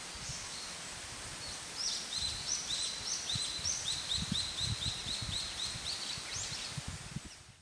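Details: A Japanese paradise flycatcher calling overhead on 5 July 2019 gives a quick, high string of short chirping notes, about three per second, over steady low rustling and wind.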